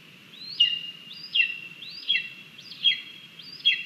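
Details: Lesser spotted eagle chick on its Latvian nest, live-camera recording from 17 August 2022, bad-tempered at morning feeding as its mother delivers frogs and a vole; five sharp, high, downward-slurred whistles about every 0.8 seconds over a constant insect drone.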